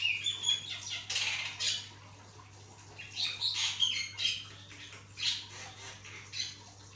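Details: Lively song of a Javan myna, used as a training recording for other mynas: rapid harsh chattering squawks in short bunches separated by brief pauses, plus a faint steady hum.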